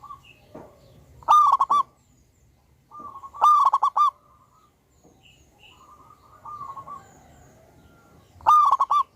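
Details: Loud-voiced local wild zebra dove in full song on a lure recording: three bursts of rapid, stuttering, rolling coos, each under a second long, separated by quieter drawn-out cooing.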